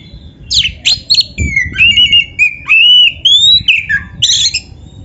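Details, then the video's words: Oriental magpie-robin (kacer) masteran song: harsh opening chips lead into a long, wavering whistled phrase that steps up and down, ending in a scratchy burst. "SUARA BURUNG KACER MASTERAN"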